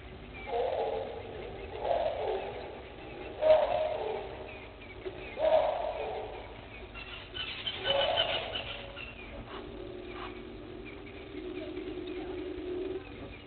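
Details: Helmeted guineafowl coming out of a tree at Gowrie dam waterhole, Djuma Game Reserve, Sabi Sand, South Africa, at 05:59 on 24 April 2021, giving harsh, rasping calls in bursts roughly every two seconds.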